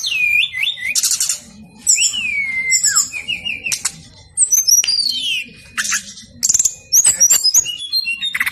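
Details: Persistent brown-chested jungle flycatcher song, played to stir lazy birds into singing: looping whistled glides that rise and fall, interspersed with short buzzy bursts and sharp high chips, separated by short pauses.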